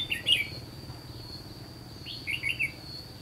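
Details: Two short, lively chirping phrases from a red-whiskered bulbul of the white-cheeked form, recorded while trapping in the Gulf of Tonkin region, about two seconds apart over a thin, constant insect drone.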